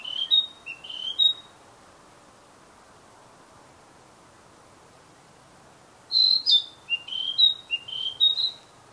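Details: Wild Narcissus flycatcher delivering two phrases of clear high whistles, three notes first, then a longer run of about six rising and falling notes after a pause.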